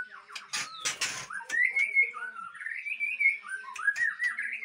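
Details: Aceh-type white-rumped shama breeding bird giving long smooth whistled phrases that glide up and down, after a burst of sharp clicking and rustling noises at the start.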